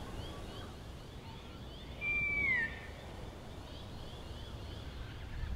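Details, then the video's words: An adolescent Wedge-tailed Eagle in Plenty Gorge, Melbourne, at sunset on a hot day with a gentle breeze. It gives a single thin, level whistle that drops slightly at the end, against faint wind noise. "Young Wedge-tailed Eagle"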